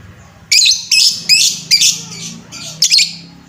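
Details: Lovebird bait sound for stirring up lovebirds: a fast run of six harsh, buzzy high chirps, roughly two or three per second, with a brief pause before the last.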